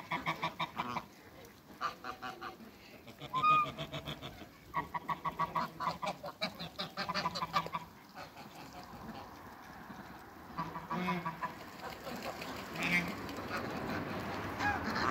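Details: Toulouse and African geese, with their hybrids, in a backyard, giving repeated nasal honks in irregular bouts amid steady background noise, louder toward the end.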